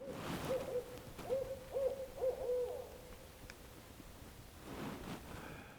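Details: A barred owl, judged by listeners to be a real owl, gives a run of five or six mellow, mid-pitched hoots over about three seconds, the last one drawn out and wavering, with quiet voices nearby.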